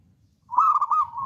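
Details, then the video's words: Zebra dove of local wild stock, described as a bold, keen singer, giving a single sustained, wavering, rolling coo rising slightly then holding steady. "PERKUTUT LOKAL ALAM GACOR"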